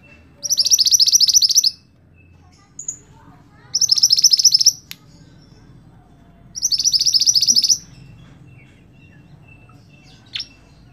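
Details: Scarlet-backed flowerpecker, prized for its song as a master for training songbirds: three high, rapid, buzzy trills, each about a second long, repeated roughly every three seconds, with soft chips between them.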